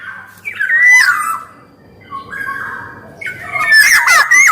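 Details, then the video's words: A lively black-naped oriole giving a loud fluty phrase, then softer level whistles, ending in a busy burst of harsh chattering and whistled notes. "SUARA KEPODANG EMAS GACOR"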